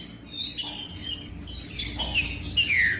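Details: A brief burst of green-winged saltator song, meant to warm up cold captive birds: a few clear whistles, with the last ones slurring down steeply, against a soft background hiss.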